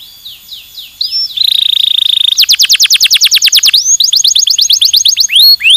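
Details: Canary in stimulating song: a few slurred whistles, a steady buzzing tone, then long fast trills of descending whistled notes and a few rising swoops.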